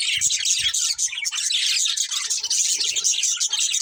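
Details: Colourful budgerigars from a breeding pair chirp in a dense, continuous high chatter of scratchy twitters and quick warbled notes, with no pause throughout.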